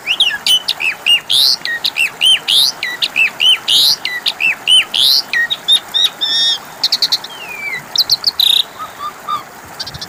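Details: Asian pied starling song, a lure meant to make birds that have stopped singing answer within minutes: a long, busy run of looping whistles and slurred notes repeated almost without pause, ending in scattered chirps.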